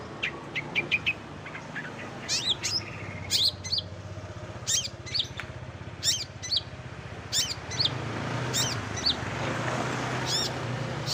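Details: Long-tailed shrike singing borrowed songs of other birds, used to train contest birds: sharp, high, clicking chips in short bursts roughly every second, with rumbling traffic-like noise building toward the end.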